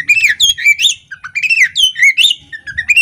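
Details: Caged female Oriental magpie-robin in full song with tail fanned; loud continuous run of rich whistled notes, rising and falling slurs with brief chatters mixed in.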